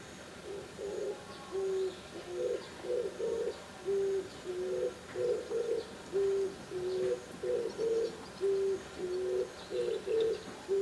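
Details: Oriental turtle dove cooing: low, hollow coo phrases in a steady rhythm, each made of a short note followed by longer, flatter ones, repeated throughout against a faint background hiss.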